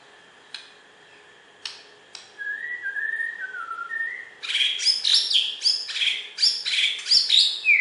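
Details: Champion Borneo white-rumped shama from West Kalimantan, Indonesia, opening with a long wavering whistle, then bursting into a dense, loud run of rapid chattering and upswept whistled notes.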